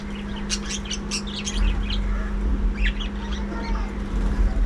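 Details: Breeding colony of budgerigars: a burst of rapid high chirps and warbling chatter, fading to softer twitters, over a steady electrical hum and deep rumbling noise.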